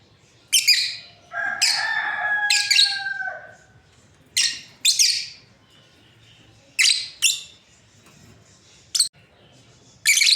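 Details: Breeding pair of lovebirds giving sharp, high shrieking chirps in short bursts, some doubled, with a steady whistled tone running underneath for about two seconds early on and quiet gaps between calls.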